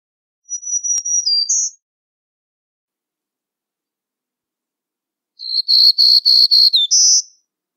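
Black-throated Green Warbler singing two high, buzzy phrases: a brief wheezy opener, then about six quick buzzes ending on a higher note.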